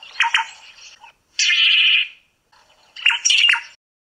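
A Crimson-breasted Shrike gives three harsh, buzzy bursts about a second apart, the middle one a steady grating churr, with no other sounds.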